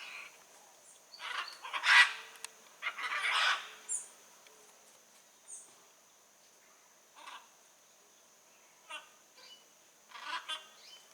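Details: Wild blue-and-yellow macaw in nature giving loud, harsh, raspy squawks in short bursts, two strongest close together early on, then fainter scattered calls with quiet gaps, over a steady high insect-like hum.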